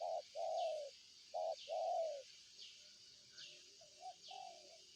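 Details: Spotted dove sings two short-then-long coo phrases, loud and mellow, then softer, broken coos trail off. A high, even insect buzz fills the background throughout.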